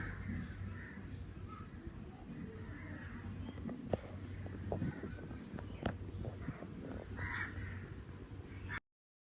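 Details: Crow calling outdoors on a summer day, giving a few hoarse, harsh caws spaced several seconds apart over a steady low rumble and faint background noise.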